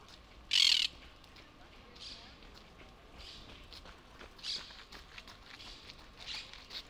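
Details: Monk parakeet, a South American bird now established in Europe, in Barcelona, Spain: one loud harsh screech early on, then several fainter raspy squawks spaced over the following seconds, over quiet urban background noise.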